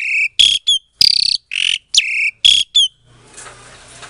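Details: Asian pied starling, captive-bred in Klaten, Indonesia, February 2022, provoking silent starlings to respond; several loud, harsh, rasping notes with sharp whistled flicks about twice a second, then fading to soft background noise.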